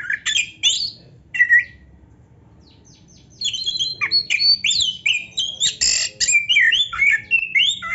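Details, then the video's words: White-rumped shama song with full variety: opening slurred whistles, a short pause, then a long jumble of rapid chattering notes and mixed whistles. "MASTERAN KACER GACOR FULL ISIAN"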